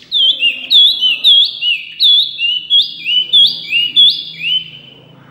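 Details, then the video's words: Loud, vigorous white-eye song: a steady run of about a dozen high whistled notes, each a quick slurred up-and-down sweep, delivered in pairs at a rapid, slightly uneven pace over a quiet background. "wambi mini gacor full suara kencang"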